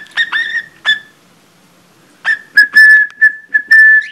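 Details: Pet budgerigar imitating a cockatiel's whistled Mickey Mouse Club March, poorly sung: loud steady whistled notes with harsh buzzy onsets in short bursts, a quiet pause near the middle, then a longer run of repeated whistles; a woman speaks just after.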